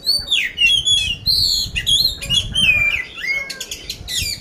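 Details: Caged oriental magpie-robin in Magelang, Central Java, Indonesia, ready for competition, pouring out a dense, loud coarse-fill song of clear whistled slurs and high buzzy notes with hardly a break.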